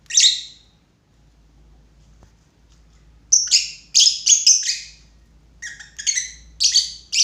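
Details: Lovebird giving one shrill chirp, a quiet gap of over two seconds, then a rapid chattering series of harsh, high twittering notes.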